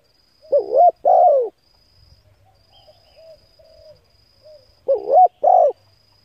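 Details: Spotted dove coo for stimulating decoy birds: two phrases about four seconds apart, each a wavering note and longer falling coo, with soft low murmuring notes and faint rumbles in between.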